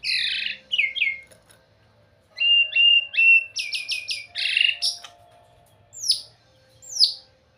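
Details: White-rumped shama singing beautifully in varied phrases: rich warbled notes, a stuttering series of quick chips, then two spaced, very high down-slurred whistles.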